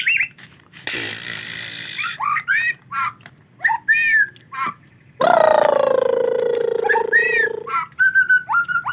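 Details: Rainy weather makes bathing hard for this white-rumped shama: short chirped and whistled notes spaced apart, a long grating harsh call lasting over two seconds, then more quick whistles and a level repeated note.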